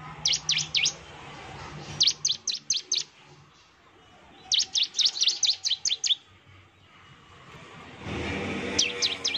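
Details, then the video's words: Lure song of a vigorously singing Bar-winged prinia, meant to provoke a rival into replying: repeated clusters of four to eight piercing, high chirps, with a brief burst of broadband noise near the end. "suara pancingan ciblek gacor, NEMBAK terus ciblek pasti NYAUT emosi dan gacor"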